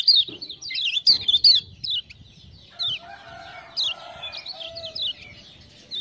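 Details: Lemon-bellied white-eye of Lombok, prompted by 'ciak-ciak' sounds into full song. It opens with loud, quick, high twisting notes and ticks. Later come scattered bright chirps over a faint, lower, steady whistling.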